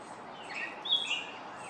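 Gray catbird giving a brief run of squeaky, slurred notes, a couple of quick high phrases in under two seconds, over a faint outdoor hiss.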